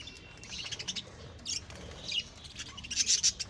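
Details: Home-bred lovebirds uttering scattered thin, high chirps and squeaky notes, growing louder and denser near the end into a cluster of piercing calls.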